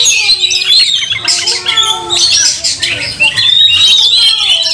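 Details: Oriental magpie-robin singing aggressively in a fight display with spread tail, goading other magpie-robins; bursts of harsh squawking and high sweeping whistles, a brief quieter gap midway, then renewed rapid chatter.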